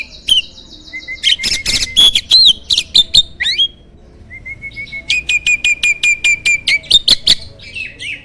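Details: Prize starling singing for use as a contest-bird master, strong-voiced and varied: clicking rattles over a steady whistle, a pause, then a long flat whistled note broken by rhythmic clicks.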